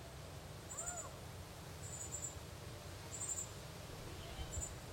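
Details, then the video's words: Northern cardinal fledgling begging while its mother feeds it, the young bird also trying to eat seed on its own: thin, high, short notes repeated about every second, over steady low rumbling background noise. "Northern Cardinal fledgling baby begging and being fed by mom Cardinal"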